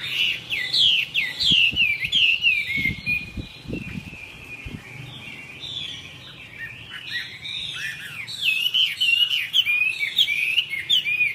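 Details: A Chinese hwamei, a young bird in its third season, newly fledged with fresh plumage and not yet competition-hardened, sings loud, rich whistled phrases in a fast varied stream, repeating and sliding notes with barely a pause; a few low knocks sound behind.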